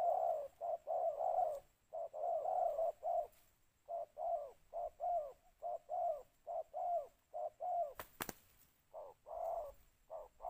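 A spotted dove gives soft, hollow, low coos in short bursts of two or three notes, repeating steadily with brief pauses; a sharp click sounds near the end.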